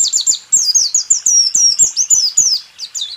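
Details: White-eye in rool tembak song, used to train caged songbirds: a quick, shrill series of high whistled slurs, some rising and some falling, delivered in tight clusters with short gaps.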